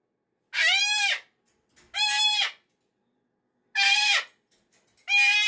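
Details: Pet cockatoo in a Monday morning meltdown, unhappy that the weekend is over: four loud, harsh, rasping screams, each about half a second long, separated by short silences.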